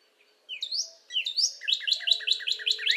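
Northern cardinal song: two clear, downslurred whistles, then a quick run of about eight sharp slurred notes, each around a fifth of a second apart.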